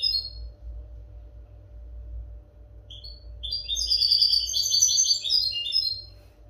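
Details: European goldfinch song for training captive goldfinches: a single high note at the start, a pause, then a quick, tinkling, twittering phrase of high notes in the second half. A steady low hum runs underneath.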